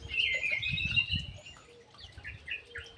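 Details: Ground thrush singing in an aviary: a loud, trilled whistled phrase opens, followed by softer chirped notes over steady background rumble and patter.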